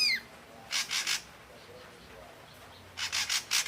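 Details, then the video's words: Red-eyed grey form of ashy drongo in song: a brief falling whistle opens, followed by three harsh, grating notes in quick succession, a pause, then four more rasping buzzy notes, over faint background hiss. "Suara asli burung srigunting kelabu mata merah"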